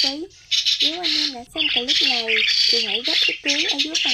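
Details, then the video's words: Lure recording of migrating starlings, white-headed kind, used for trapping: coarse screeching squawks alternate with looping, twangy nasal notes in fast irregular series, with brief pauses between bursts. "Tiếng Sáo Đá Di Cư - Sáo Đầu Trắng"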